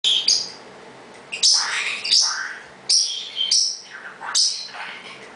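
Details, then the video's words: A male pet parrotlet, asserting that he is in charge, gives sharp, high chirps and squawks in bursts about every second, harsh descending notes mixed with thin tweets, while another bird mumbles and grumbles in the background. "Making Noise, Again"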